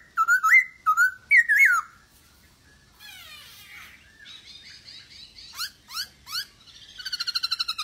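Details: Masked laughingthrush singing actively, played to coax silent birds into song: three loud, wavering whistled phrases, a scratchy chatter, sharp down-slurred notes, then a fast, even rattling trill.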